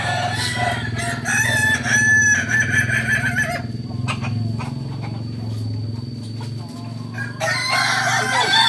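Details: Kukuak Balenggek chickens crowing on a Sunday at Ampangkualo: a bright, harmonic, sustained crow fills the first three and a half seconds, fades under a steady hum, then a fresh crow starts near the end.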